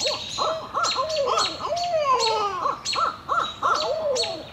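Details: Barred owl pair caterwauling: excited arched hoots and long wavering notes that slide downward, overlapping one another in a wild chorus, with sharp high chirps scattered above.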